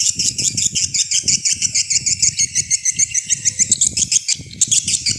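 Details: Swiftlet lure sound meant to attract swiftlets: steady high twittering made of rapid chirped pulses, around three per second, forming a continuous chattering stream with a short dip before the end.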